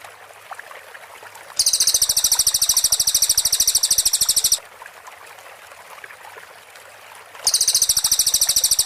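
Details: White-rumped shama training master of a cililin, clear 'tembakan rapat' style: a three-second high, rapid, regular trill, a silence of about three seconds, then the same quick pulsing trill starts again.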